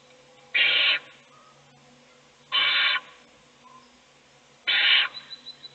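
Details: Nest-box owl during a feeding, with the remaining chicks asleep; three loud, noisy rasps roughly two seconds apart over a faint steady hum, with a few soft clicks at the end.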